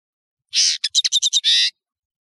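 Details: Short European serin phrase: a buzzy wheeze, a series of six quick high chirps, then another long buzzy rasp; nino in Algeria, kamatcho in Morocco.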